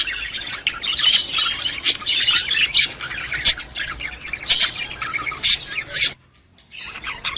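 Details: Budgerigars chattering to prompt a female to breed: continuous rapid chirps and rasping squeaks, broken by a brief silence near the end before the warbling resumes.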